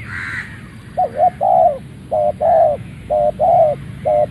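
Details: Malay-strain spotted dove, a ground decoy bird, crowing right after leaving its box: a steady run of low, mellow coos in short and drawn-out notes, about one phrase per second, over a faint background hum.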